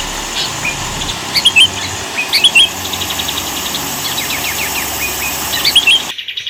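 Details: Sooty-headed bulbul singing on a training master recording for other cage birds; quick twittering clusters of high, slurred chirps recur roughly once a second, with a faint mechanical drone underneath.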